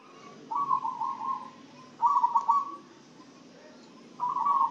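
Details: Zebra dove, a kept perkutut singing actively after being given a herbal spice feed mix. Three bubbling, trilled coo phrases each last about a second, separated by short pauses, over a steady low background hum.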